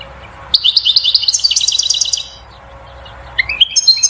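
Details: European goldfinch song to stimulate the female to mate and build a nest: a quick series of about fifteen tinkling twittered notes, a pause, then rising chirps and a few high notes.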